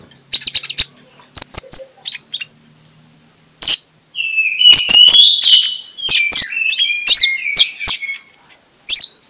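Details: Morning magpie-robin song played as a lure for other magpie-robins: scattered sharp ticks at first, a pause, then a rich run of varied whistled and warbled phrases.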